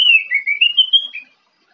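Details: Morning song of an orange-headed thrush: a rapid string of sweet whistled notes that slur and rise gently, then close on a lower note, heard in a quiet setting.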